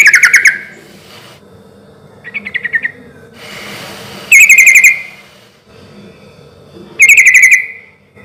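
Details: Relaxed, loud song of a sooty-headed bulbul used as a lure to draw replies from other bulbuls: short bubbly, rippling phrases, one softer and three strong, spaced by pauses with some faint rustling.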